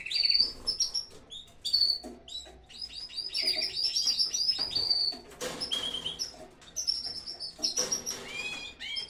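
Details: Canaries in a home aviary during full breeding season: several birds singing at once, a dense tangle of high whistled notes, quick trills and rising sweeps, with wingbeat flutters and rustling.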